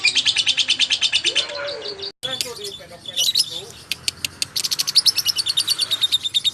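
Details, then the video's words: Lovebird chatter for tutoring magpie-robins: fast high chirps, then a jumble of squeaks, lower slurred notes and single sharp chips after a brief cut, and finally a renewed quick run of shrill notes. "Burung Love bird gacor untuk isian murai batu"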